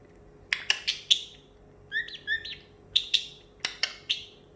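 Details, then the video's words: Pet parrotlet indoors, excited after treats and almonds and imitating sounds: sharp, high clicking chirps in quick bursts, a pair of short buzzy notes in the middle, then more rapid clicks in a quiet room. "parrotlet making water sounds"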